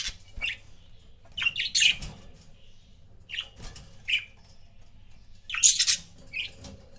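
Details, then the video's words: Pet budgerigar couples chirping: bursts of bright, high, scratchy chirps in clusters around one and two seconds, more near four and six seconds, with quiet gaps and a low indoor hum beneath. "CUTE BUDGIE COUPLES"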